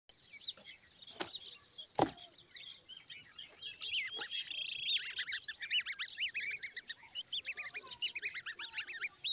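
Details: Common babbler chicks standing beside their mother. A few sharp clicks open the recording, then a dense, rapid chatter of high, thin chirps and squeaks builds up and continues without pause.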